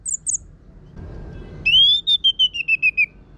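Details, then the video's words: Orange-headed thrush lure song for training birds: two tiny high chips, a short pause, then a long clear whistle sliding slightly down, broken into a run of about eight even repeated notes. "Pancingan ANIS MERAH Gacor Suara Kasar Ini Membuat Burung Ikutan Ngeplong"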